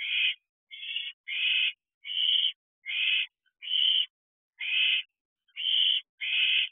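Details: Owls at a nest box at night, 11:37 pm on 27 June 2023, owlets still present during brooding season amid excited activity: harsh hissing screech-like bursts, about nine in a row, each roughly half a second, separated by short silences.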